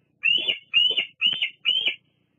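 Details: On a July 2022 evening at the Fraser Point nest, a female bald eagle resting and preening gives four drawn-out, high squealing notes, each slightly falling, spaced about half a second apart, picked up by a live camera.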